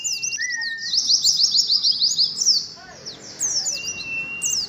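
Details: Oriental white-eye, kept in a group of caged birds, played as training audio for a colony of at least five cages; rapid high twittering trills sweeping downward in dense runs, with a few thin whistles and shorter chirp bursts after a brief pause.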